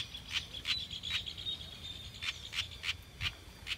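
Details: House wren chick (corruíra), Troglodytes aedon, giving short, sharp, high chipping notes. About nine are spaced unevenly over four seconds, with a faint steady high whine and low background rumble.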